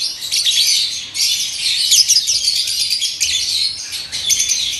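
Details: Captive breeding pair of Fischer's lovebirds chattering continuously, a dense loud wash of shrill squeaky twitters and squawks with no pauses throughout.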